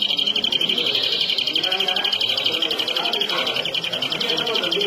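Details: Flurya, the European greenfinch, sings one unbroken rapid high trill lasting nearly five seconds, with steady murmuring voices in the background.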